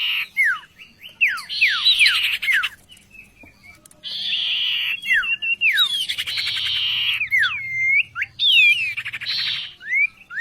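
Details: Oriental magpie-robin singing as a vocal tutor: sharp falling whistles, long grating buzzy passages, and looping whistled phrases near the end, over a faint low hum.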